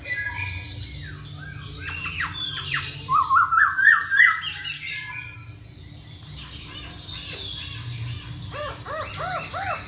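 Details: Masked laughingthrush, a kept bird, in a recording used to provoke lazy birds into singing. Harsh squawks and a rapid burst of rising chattering notes are followed by a run of short arched notes, over a steady low hum.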